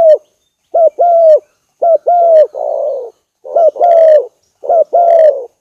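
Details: Spotted dove decoy calling: strong clear coo pairs, short then long and gently falling, broken by one softer raspy coo, in steady bursts about a second apart.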